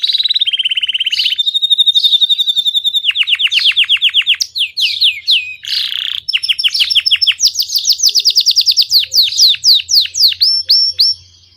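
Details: Belgian canary singing cheerfully in a long varied phrase: steady high trills, fast rolling series of downslurred notes, a brief harsh buzz, then bright repeated sweeping whistles slowing toward the end.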